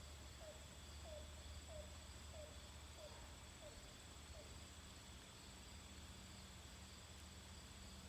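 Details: Recorded in Dresden, Maine, an unconfirmed caller, best guessed as a pileated woodpecker though somewhat owlish. It gives a faint series of about seven short, hollow, mid-pitched notes, evenly spaced under a second apart, over a steady low rumble and hiss.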